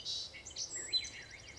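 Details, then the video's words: A loud Song Sparrow sings in spring on a hike: high buzzy notes, a sharp whistled note, then a quick run of repeated trilled notes, all in under two seconds. "my that's a loud song sparrow"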